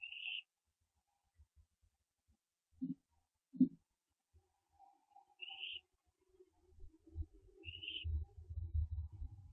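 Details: Pre-dawn barn owl owlet at the nest on 15 September 2011 as it branches: three short rasping calls scattered through the clip, two sharp knocks in the middle and a growing rumble of movement toward the end.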